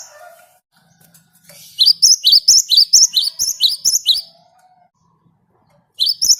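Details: Great tit in the wild giving its rolling 'ngerol' song for use as a lure: a steady stream of about a dozen high, ringing two-note phrases, then a pause and a fresh start.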